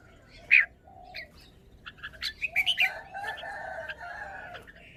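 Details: A caged red-whiskered bulbul performing its song phrasing: one sharp whistle, then a rapid string of bright chirping syllables, leading into a long, level rooster crow.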